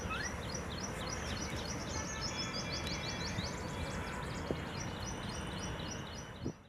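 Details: A family group of silverbills gives rapid, thin, high chirps, overlapping in a quick run of about three or four a second, over steady low rumbling wind or background noise.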